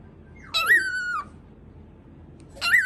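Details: Indoor pet cockatiel barking after mimicking gargling, giving a harsh call that rises quickly then holds a flat, rasping tone for over half a second, followed by another call two seconds later.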